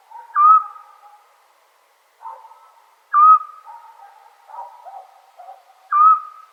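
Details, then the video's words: A scops owl calls on a summer night in Serbia with three short, pure whistled notes spaced about three seconds apart. Fainter, lower murmuring calls fill the gaps between them. "Sound Of Owl At Night"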